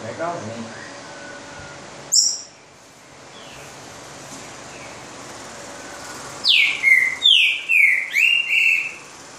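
Green-winged saltator giving a loud phrase of about six rich, slurred whistles, each falling in pitch. A man's voice and a sharp knock come first.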